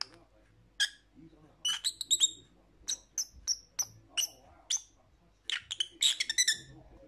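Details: Lovebird, a small pet parrot, making spaced thin chirps about every half second, some with whistled tones, then a quick flurry of squeaky calls near the end.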